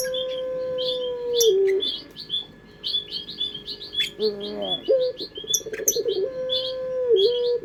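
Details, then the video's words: Puter pelung collared dove cooing as a lure: a long, flat low note sagging at its end, then quavering pulses and a second steady coo, with many high chirps of other birds throughout. "Pancingan Suara Burung Puter pelung"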